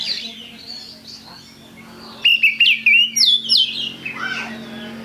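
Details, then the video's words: Oriental magpie-robin song used as a lure to trigger other birds to sing: about two seconds of faint background, then a loud burst of sharp, varied whistled notes rising and falling, with clipped chirps between them. "Pancingan Kacer Gacor"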